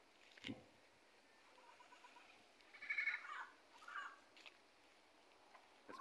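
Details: Double yellow-headed amazons (Amazona oratrix), a group near an almond tree in a plaza in Ciudad Mante, Mexico, give harsh, raspy squawks in scattered bursts over a quiet background.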